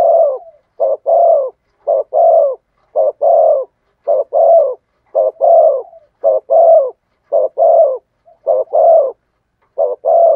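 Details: Steady, regular cooing from a spotted dove in the thổ sấm voice over ten seconds. About ten short pairs of hollow, vibrating notes follow one another at roughly one-second intervals in quiet surroundings.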